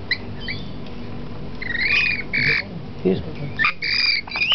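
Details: Lorikeets being fed bits of cookie on a hotel balcony in Port Stephens, Australia: harsh, screechy squawks in short, irregular bursts, with a steady low background hum throughout.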